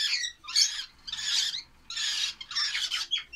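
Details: Lovebird chicks produce harsh, buzzy squawks in about five separate bursts, each lasting around half a second, with short quiet gaps between them.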